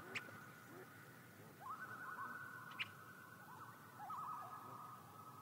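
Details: Common loon calling with rippling, quavering notes that waver up and down at a steady pitch, coming in two bursts about two seconds apart, with two sharp clicks and a low background rumble.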